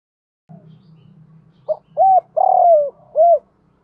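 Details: Spotted dove cooing as a training lure for doves. A steady low hum runs underneath while a short note, an arched coo, a long falling coo and a final rounded coo follow in quick succession.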